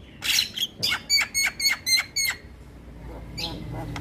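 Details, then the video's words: Male white-eyed Javan myna used to coax reluctant birds into singing, giving a fast series of about eight sharp buzzy chips at a steady beat, then a pause with faint background noise and a brief rasp. "Pancingan Burung Jalak Malas Bunyi Dengan Suiara Jalak Kebo Jantan Mata Putih"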